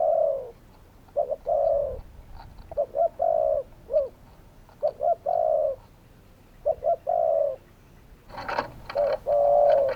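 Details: Spotted doves call steadily in several phrases of short clipped coos and longer drawn coos. A brief rustling, knocking noise breaks in near the end.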